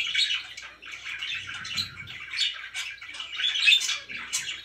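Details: Household pet budgerigars warbling together, a busy mix of scratchy chatter and bright short tweets, with a faint low rumble in the background.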